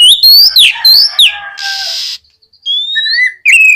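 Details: Oriental magpie-robin in energetic song, intended to provoke reluctant magpie-robins to reply: quick whistled phrases and downward slurs, a sustained buzzy rasp, then thin high whistles and a lower steady note.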